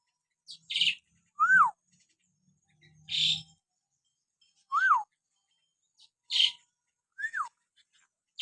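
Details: Common hill myna natural whistles used to provoke pet mynas into singing: arched, downslurred whistles alternating with short harsh buzzy notes, about one element every one to two seconds.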